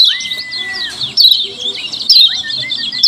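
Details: Lemon-bellied white-eye calls for luring other white-eyes: a long even whistle opens, then tangled high chirps with loud bursts and short repeated whistled notes.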